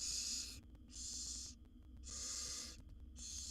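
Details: Seven wild barn owl young beg from their mother inside a monitored nest box, sending out long, airy screeching hisses that overlap and alternate, near continuous over a faint hum.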